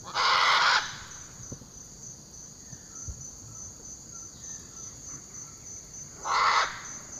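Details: Great Green Macaw in Costa Rica: two loud, harsh, raucous squawks about six seconds apart, over a steady high-pitched insect whine.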